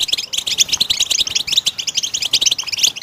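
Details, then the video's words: A singing goldfinch delivers clear, high, tinkling notes in rapid sequence, some doubled and ringing, interspersed with fast trilled phrases and faint clicks. "for your goldfinch to sing"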